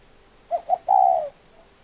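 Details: Spotted dove calling a single three-part coo: a pair of brief soft notes, then one sustained mellow note that tails off lower. There is a faint extra murmur just afterward.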